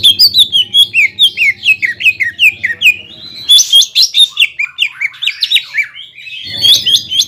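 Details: Fast, varied whistled song of a greater green leafbird, played to provoke rivals; dense series of descending slurred notes about four per second, with a low hum underneath at start and end.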